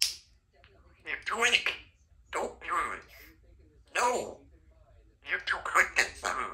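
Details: Symon, a talkative 3-year-old female Congo African grey parrot kept as a pet, chatters in four short bursts of speech-like mimicry, words with clear voiced tones and breathy clicks, separated by brief pauses.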